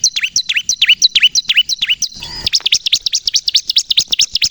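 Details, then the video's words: Bar-winged prinia song used as a lure and to provoke other prinias to sing: clear falling chirps at an even pace, a short hissy gap, then quicker, higher, tightly packed notes. "suara burung ciblek kristal gacor untuk pikat dan pancingan ciblek bahan agar bunyi emosi"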